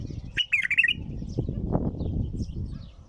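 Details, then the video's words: Bulbul sings one brief, bright warbling phrase at the start, a fast string of fluty notes, followed by rustling and low rumbling noise. "تغريد بلبل طور بدون توقف"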